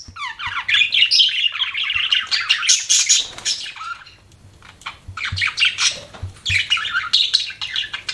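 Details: Pet budgie warbling: quick rising and falling chirps in rapid runs, a quieter stretch midway, then more buzzy chatter, with faint low ticking in the background.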